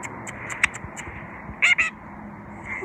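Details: A pet sun conure, the one of three in the household that talks, gives short, sharp, high chattering notes with a pair of louder rasping squawks.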